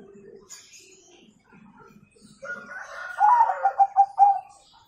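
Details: Zebra dove in full nggayer song with a kung ending, used to coax young birds into singing: after a quiet start with faint low cooing and a higher note, a bright series of quick, bubbling coo pulses rings out near the end.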